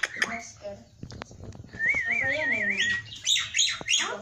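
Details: Energetic gacor song of a black-winged myna (jalak putih) packed with isian phrases: scattered clicks and rough notes, then a long wobbling trilled whistle and bursts of grating chatter.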